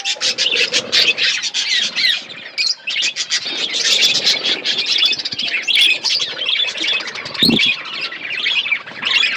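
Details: A flock of budgerigars kept as pets chirp while eating food, a dense overlapping chatter of high warbles, squeaks and short chirps running almost without pause, with brief wing flutters.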